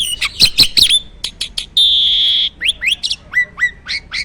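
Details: Captive jalak starling singing vigorously: quick chirps, then a sustained harsh buzzing note under a second long, followed by a series of rising whistled slurs.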